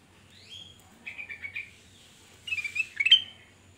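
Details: Black-crested bulbul singing energetically, a recording meant as a lure for other birds: short clear whistled phrases, a rising note, a run of chirps, then a bright burst of sweet warbled notes.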